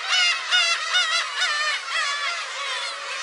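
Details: A crowd of black-tailed gulls calling near a shrine on a Friday, July 10. Nasal, wavering mewing cries overlap in a thick, constant din, with calls pulsing about twice a second.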